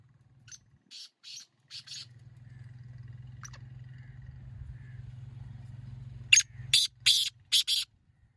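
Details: Kala teetar, the black francolin, delivering its harsh rasping phrase twice: a softer series of buzzy bursts at the start, a low rumble in between, then a louder set of five grating notes in rapid rhythm.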